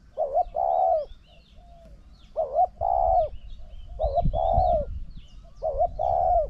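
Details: Spotted dove, a decoy bird contesting a strongly cooing wild bird: repeated two-part mellow coos, a short note then a longer rolling coo, phrases about every one and a half seconds over low rumbling background.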